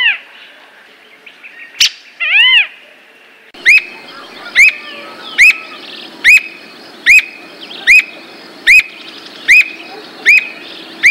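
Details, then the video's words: Squirrel cuckoo (Piaya cayana) singing a long series of sharp, clipped notes, about one every 0.8 seconds, after a brief whistled arching phrase, with a soft background hiss. "Alma de Gato cantando"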